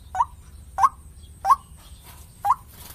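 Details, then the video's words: Lure recording of a white-breasted waterhen: four short hooked, mid-pitched notes, each rising at the end, spaced about two-thirds of a second apart against faint background hum. "Suara pikat ruak-ruak terlengkap 2024,The most complete alluring sound of birds ruak-ruak 2024"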